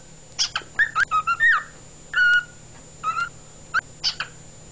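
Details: Pet cockatiel singing on 16 February 2011: scattered short whistled notes and sharp chirps with gaps between, one longer level whistle in the middle, over a constant faint electrical hum.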